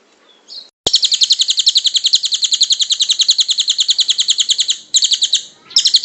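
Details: Kingfisher giving a long call for use in training songbirds: a brief thin note, then a long, rapid rattle of high, sharp, evenly spaced notes, which pauses briefly and then resumes.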